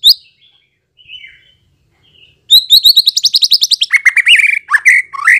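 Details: White-rumped shama song played as a lure to prompt answering and full singing: a quiet opening whistle, then a fast run of sharp high chipping notes sliding into lower, richer whistled phrases.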